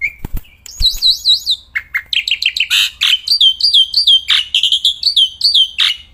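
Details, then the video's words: Black-winged myna, kept bird, in loud tireless song outdoors or in the hand: clicks and a flat whistle open into wavy looping high whistles, then dense chains of chirpy upslurred notes. "Burung Jalak Putih Gacorrrnya Edan gak ketolong"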